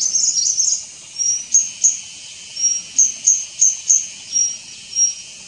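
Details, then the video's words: White-gorgeted flycatcher (Anthipes monileger leucops) calling at Doi Ang Khang, Thailand, on 24 March 2017: thin, very high, short notes about three a second after a brief twittering start, over a steady insect drone. "White-gorgeted Flycatcher calling"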